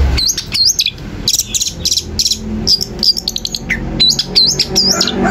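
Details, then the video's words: Long-tailed shrike song meant to provoke other shrikes into answering: high, sharply modulated whistled phrases and quick chattering notes in rapid varied bursts, some notes sweeping up and down, with a low background hum. "Berikan suara cendet ini di jamin cendet lain akan emosi dan ikut nyaut"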